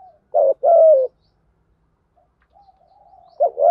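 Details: A decoy spotted dove gives one full 'Thổ Gù' voice phrase, two clipped notes then a long sliding coo, followed by a faint thin whistle and the start of another phrase; the call is used to lure wild doves.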